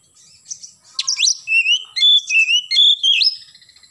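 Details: Oriental magpie-robin in full morning song: a rich, continuous run of loud whistled phrases, mixing sharp upward sweeps, steady clear notes and quick chattering trills, with no other clear sounds.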